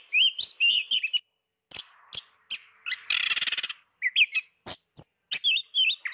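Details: Hidden Oriental magpie-robin singing: bright whistled warbles, then a harsh buzzing rattle lasting about half a second, followed by short sharp chips and more twisting whistles.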